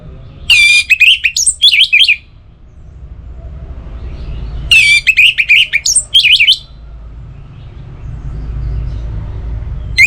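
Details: Caged Orange-headed thrush from North Bali used as a morning and evening song lure: two strong bursts of quick, varied whistles and trills, separated by a pause, with low background rumble.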